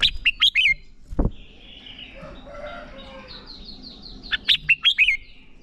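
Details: Red-whiskered bulbul song used to train and excite young birds into competitive singing: a bright warbled phrase, a single low clack, quiet twittering, then a second run of clear, slurred, rising and falling notes.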